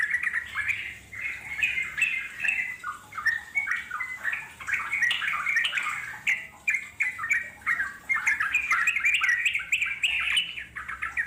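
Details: Yellow-vented bulbul from the wild giving extended chattering song meant to draw wild birds to answer; steady stream of warbling, squawky notes in clustered bursts with short gaps.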